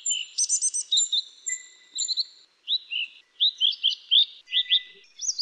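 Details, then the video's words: Minivet song used as a tutor recording for canaries and other songbirds: a rapid string of thin, high chirps and short rising whistles in quick bursts about every half second. "burung sepah suara merdu"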